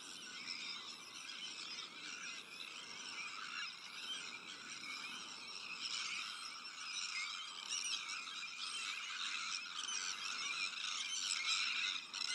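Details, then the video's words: Sandwich tern breeding colony, with black-headed gulls, Arctic and common terns nesting nearby; many harsh, rasping calls overlap into a steady, unbroken din that swells slightly toward the end. "Sandwich TernColony / Grote Sternkolonie (Sterna Sandvicensis)"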